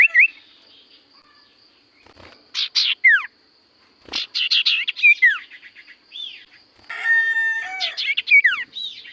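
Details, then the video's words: Actively singing Common Iora (sirtu cipoh), used to prompt silent birds to respond: clusters of sharp chirps and steeply falling whistled slurs, separated by short pauses, ending with a raspy buzzing passage mixed with chirps. "Burung sirtu cipoh gacor suara paling Top cer sirtu cipoh diam langsung nyaut"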